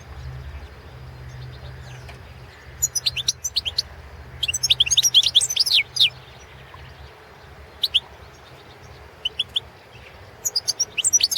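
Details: Goldfinch (Carduelis carduelis balcanica) entered in the 2017 online goldfinch song championship: scattered phrases of sharp, tinkling high chirps, a longer twittering run in the middle, then short clipped notes spaced apart.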